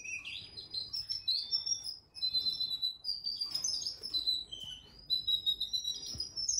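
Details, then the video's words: Canary aged four months in an indoor canary room. It gives a bright, high warbling song of whistled glides and quick trills, phrased in surges with short dips. Faint low hum is in the background. "Phòng Nuôi Chim Yến Hót || Canary Room"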